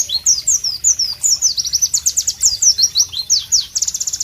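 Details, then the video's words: Loud, sharp White-eye (Pleci) song in tropical surroundings: continuous high, rapid chain of downslurred whistled notes, varied and rhythmic, ending in a fast trill-like burst. "Masteran Pleci Bird Sounds Loud, Sharp and Melodious"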